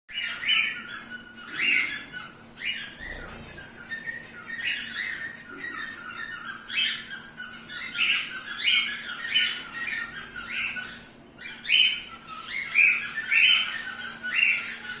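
Zebra finches give short, nasal, trumpet-like beeps, repeated in quick overlapping bursts.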